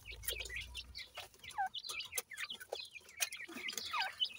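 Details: Grey francolin chicks at feeding time in a breeding setup, the female offering insects. High, thin, downslurred peeps come quickly and irregularly, broken by sharp clicks and pecking taps throughout.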